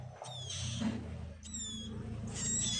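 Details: Bar-winged prinia chicks begging while being hand-fed: three bursts of high, thin, squeaky calls with stacked harmonics, each lasting about half a second and sliding slightly downward, over a low steady hum.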